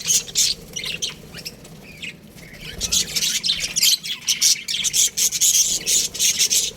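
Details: Young budgies in an aviary keep up high, raspy chirping, short notes repeated roughly twice a second and growing busier toward the end.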